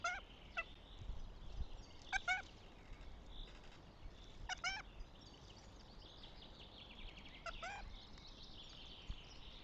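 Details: Northern goshawk calling at the nest, Tartu, Estonia, 6 May 2025: short grating notes, including quick doubled and tripled bursts, scattered through the recording against busy small-bird song.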